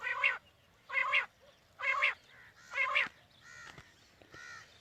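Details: Morning hunting lure of quail calls: a steady series of harsh, nasal notes with strong harmonics, about one each second, the last two fainter, with a low background hiss.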